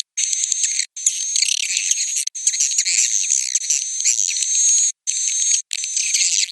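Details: High, busy swiftlet twittering heard as a roosting call, mostly continuous with a few brief breaks and a steady thin whistle beneath the chirps.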